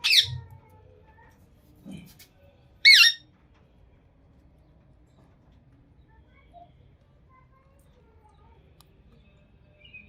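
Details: A green Indian ringneck (rose-ringed parakeet, Psittacula krameri) gives two harsh, shrill screeches about three seconds apart, with quiet between them and a faint low knock.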